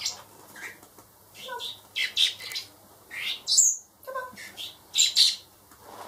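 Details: Four hand-raised baby blackbirds, reared for later release, give high, harsh squeaky chirps in irregular bursts, some sweeping steeply upward, with short quiet gaps between calls.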